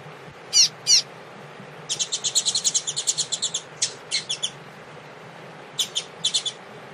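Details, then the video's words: Double-collared seedeater (coleiro) of the Tui Tui song style, warming up with a female before a contest. Two sharp high notes, then a fast run of bright, chirpy repeated notes, then scattered short bursts after a pause. "Aquecimento Coleiro Tui Tui com Fêmea"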